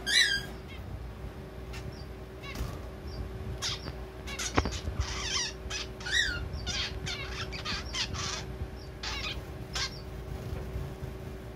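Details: Zebra finch chick beginning its song practice, possibly a male: scattered clicks and buzzy stacked notes, a few nasal rising calls, and irregular chattering phrases spread over the stretch, with background hum.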